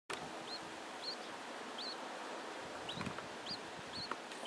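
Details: A female budgerigar with her three chicks: short, high, rising chirps about every half second over a steady hiss, with a few faint clicks and knocks.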